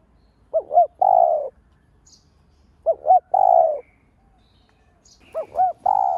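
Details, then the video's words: Spotted dove kept as a lure, cooing to stimulate other doves. Three phrases follow one another, each a pair of short upward-bending notes then a longer mellow coo, spaced about two and a half seconds apart. "Cu gáy mồi cây gáy gọi thúc ,gù bổi hay. tiếng cu gáy mồi cây kích bổi hiệu quả, cu đất gáy"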